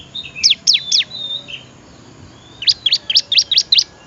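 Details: High, sharp chirps from a bar-winged prinia, recorded for training other birds: three loud notes with faint whistles between them, a short pause, then six quick, evenly spaced chirps.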